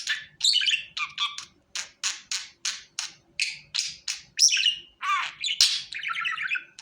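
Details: Budgerigar calling to be brought to the hand: a steady run of short, harsh chirps and warbling notes, roughly two per second, some buzzy and some with fast trills, in a quiet room with a faint low hum.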